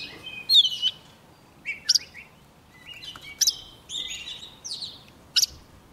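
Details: Young Oriental magpie-robin in full song as a wild bird approaches, giving varied clear whistles, sharp high upslurs and short warbled phrases in loose bursts about every second, over quiet background hiss.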